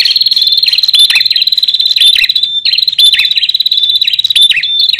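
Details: Male and female bar-winged prinias (Prinia familiaris) call persistently, a continuous high, sharp ringing trill with repeated buzzy, downslurred notes about once a second, loud and insistent.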